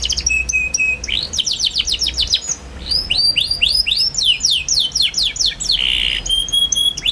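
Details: Lively young canary in full chirping song, used as a lure for young canaries learning to sing: a steady whistled note, then rapid sweeping chirp series, a harsh buzzy burst and a thin high whistle.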